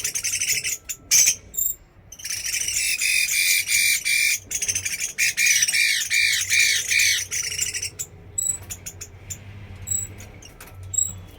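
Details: Hwamei song: long stretches of fast, rasping, stacked notes, some with rising and falling arched phrases, then a quieter end with scattered sharp clicks and thin high tones.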